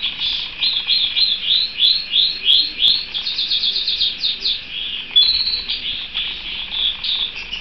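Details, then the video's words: Pet canary singing: a continuous run of rapid repeated high chirping notes and trills, shifting between phrases every second or two, steady and clear. "Vogi der kanarienvogel"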